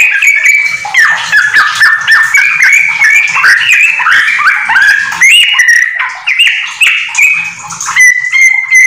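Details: Captive, home-kept Yellow-vented Bulbul singing actively in a busy, bubbly chatter: rapid liquid notes rising and falling without pause, ending with a few clearer, steadier whistles.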